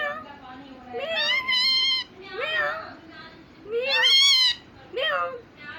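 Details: Talking pet parrot indoors imitating a cat: several loud, drawn-out, nasal meow-like calls, each rising then falling in pitch and spaced a second or two apart.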